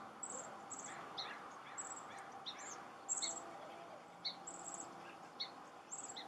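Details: Chestnut-backed chickadee excavating a potential nest hole: thin, very high chirps repeated about every half second, mixed with softer mid-pitched scratchy taps and rustles.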